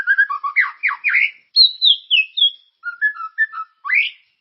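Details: White-rumped shama in full song, played to coax other shamas into singing: quick jumbled whistles and sweeps, a high descending slurred phrase, then short paired whistles and a final rising note.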